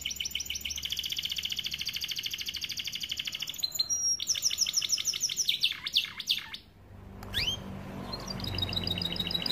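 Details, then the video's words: AF canary, starblue colour, singing a long tutor song meant for young canaries: sustained fast trill of even pulses, then buzzy rolls and rattles, a brief break and a rising whistled sweep before more high trilling. "Kenari AF warna starblue gacor lagu unik mewah untuk masteran kenari paud"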